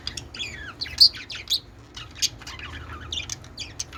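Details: Mating budgerigars playing on a peach produce a lively, quick warble of rising and falling squeaky notes, broken by short bright chirps.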